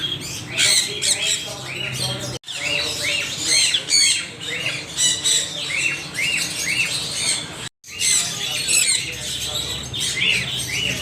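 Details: Loud, rhythmic parrot squawks, harsh notes repeated in quick bursts several times a second amid other chattering birds, interrupted by two brief silent cuts.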